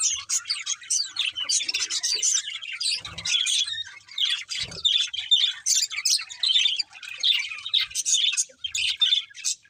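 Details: Several budgies chatter and sing as they eat, rapid scratchy warbles and sharp chirps coming in dense bursts about every second, broken by two soft low thuds.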